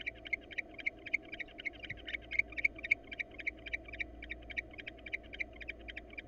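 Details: Wild barn owl pair before breeding, the female inviting the male to mate in hot weather; quick sharp clicking notes, roughly four per second, over constant low background hum.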